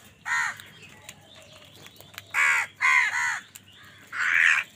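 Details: Angry crow calling while fighting wild birds for food: four harsh, nasal caws, one short and three longer, the last drawn out, separated by quiet gaps with faint background bird chatter.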